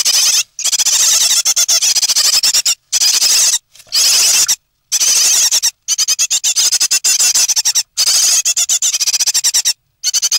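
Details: Three great tit nestlings in their nest on 9 May 2017, soon to leave it. Long runs of piercing, scratchy cheeping pour out, stopping briefly every second or two before starting again.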